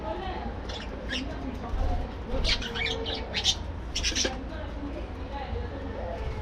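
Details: Colony of budgerigars in an aviary during morning activity, breeding setup; bursts of scratchy, broadband chirps and squawks clustered mid-clip, over steady low rumbling background hum.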